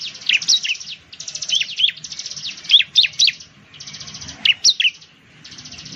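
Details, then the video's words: Ciblek, or bar-winged prinia, gives bright, clipped downslurred notes in short bursts, alternating with stretches of rapid buzzy rattling trill and brief pauses. "suara burung ciblek/ciblek sound"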